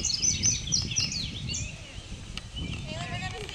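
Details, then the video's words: In a park, a male indigo bunting delivers a thin, high series of paired sliding notes for about a second and a half, followed by softer chirps and a person's voice. "Indigo Bunting Song"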